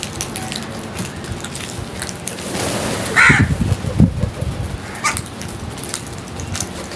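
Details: Feeding crows with one loud rough caw mid-clip and a fainter one later, over background noise and scattered clicks.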